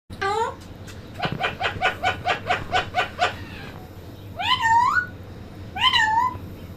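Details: Talking parrot indoors: a quick run of about nine even, harmonic chattering pulses, then two longer, drawn-out rising-and-falling voiced calls with a slight room hum beneath.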